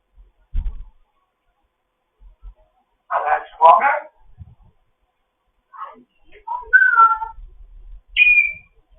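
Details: Foster African grey parrot chatting in the morning: low speech-like mumbles followed by short whistled notes and a high rising whistle near the end, with quiet gaps between.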